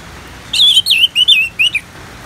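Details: Orange-headed thrush singing in 'ngeplong' style: a rich phrase of five or six warbled, wavering whistles in quick succession, loud and clear over faint background hiss.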